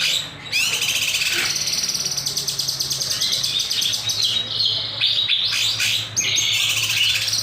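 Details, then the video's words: Master or lure recording of a kinoy in full gacor song, nembak style with sharp beset: almost unbroken fast high trilling with swooping whistled notes woven through, loud throughout. "Masteran / Pancingan Burung Kinoy Gacor, Nembak, Beset Tajam"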